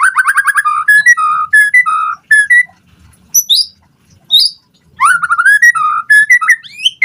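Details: White-rumped shama singing a lure song meant to make other birds answer and to tutor their singing: fast rattling run of repeated notes, then rich whistled phrases and high sharp notes in bursts, separated by short pauses.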